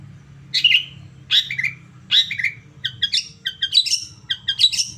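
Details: Long-tailed shrike song used as a stimulus to provoke a caged bird into answering and singing: harsh, scratchy high notes in short bursts about a second apart, then quicker clipped chips, with a low steady hum underneath.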